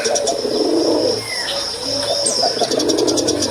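A male dove gives low, throaty cooing notes in a steady run, with faint chirps from small birds in the background.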